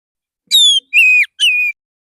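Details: Male white-rumped shama in the morning, singing relaxed to call other shamas. Three pure, loud whistled notes about half a second each, the first gently falling and the next two steady and lower.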